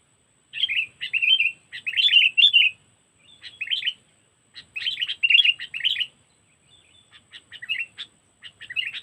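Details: Sooty-headed bulbul lure recording in the 'cengkeram' trapping style, from Lampung: bursts of harsh, bubbly chattering notes in quick clusters, separated by short pauses, with a faint steady high tone throughout.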